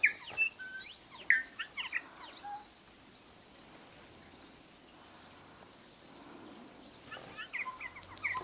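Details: Bellbird (korimako) in native New Zealand scrub and bush near Greymouth, 8 April 2023: bursts of short clear whistled and chirping notes at the start and end, separated by a quiet stretch of faint background hiss.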